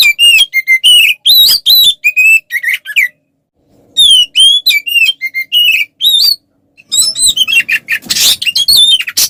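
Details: Kacer, oriental magpie-robin, singing a combative song to provoke other males: bursts of sharp, looping whistled notes separated by pauses of about a second, the last burst blending into a noisier, rasping stretch.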